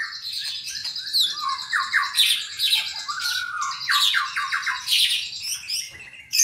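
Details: Captive white-rumped shama, albino and pied forms, singing a rich, fast medley of sweet whistles, sharp chips and buzzy trills, phrases tumbling over each other without pause, indoors.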